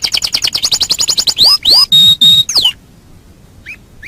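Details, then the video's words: Master song of a canary for training birds: a quick run of high trilled notes, then loud upward and downward whistled slurs with one level whistle, ending in faint short chirps. "Masteran Suara Kenari"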